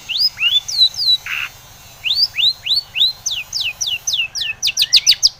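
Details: A Long-tailed shrike used to provoke other shrikes into song delivers a series of clear, high upswept whistles, briefly pausing, then resuming with quicker, sharper notes that end in rapid clipped chips.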